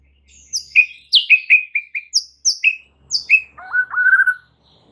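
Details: White-rumped shama song used as training audio to excite other shamas into singing: a quick run of clear whistled notes sliding downward, several short repeated slurred whistles, then a lower warbled, quavering phrase at the end.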